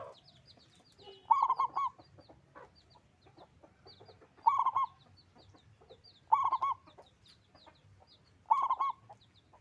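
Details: Local zebra dove in full song with a big voice: four cooing phrases, each a quick burst of rolling low notes, repeated roughly every two to two and a half seconds, small birds chirping faintly between.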